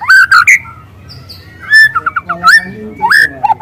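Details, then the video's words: Wild young white-rumped shama singing loud canary-style phrases for luring: clear rich whistles, a quick stuttered series of notes, and bright upslurs, over a faint low hum. "Suara asli murai lepas trotol dengan tembakan kenari panjang dan keras"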